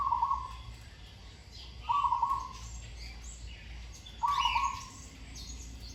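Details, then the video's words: Zebra dove under training, with a sweet song and good rhythmic delivery: three quick trembling coos at medium pitch, separated by pauses of about two seconds, with soft background chirps from other birds. "นกเขาชวาฝึกต่อ เสียงเพราะๆ เดินกลอนดีๆ"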